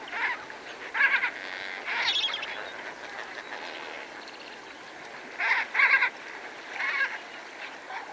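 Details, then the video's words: Several greater flamingos feeding alongside lesser flamingos give bursts of harsh, goose-like honks in pairs and short groups, separated by quieter spells of soft flock chatter; spur-winged geese call in the same scene. "Greater Flamingo / MCU Calls From Several Birds Feeding With Lesser Flamingos"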